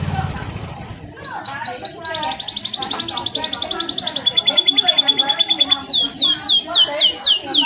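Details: A canary sings a loud, high, rapid song of fast trills, a long buzzy rattle and sweeping upward whistles, with low chatter in the background.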